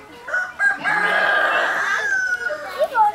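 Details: Chicken, a hen kept with five chicks (four white, one black): a loud drawn-out crow with a harmonic-rich sustained note, preceded by short clucks, with voices in the background.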